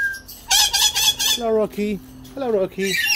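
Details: Chattering lory, a pet parrot, giving a burst of four harsh, rasping squawks in quick succession. Falling, voice-like tones follow, probably a person speaking, and a short whistled note closes.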